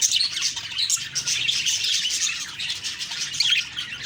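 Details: Budgerigar morning chatter: dense high-pitched twittering and squeaky calls from several birds, steady and lively across the short stretch.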